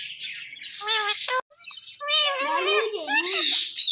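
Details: Talking Indian ringneck parakeet producing nasal word-like phrases and squawky syllables, with a short gap midway, then a wavering run of mimicked speech.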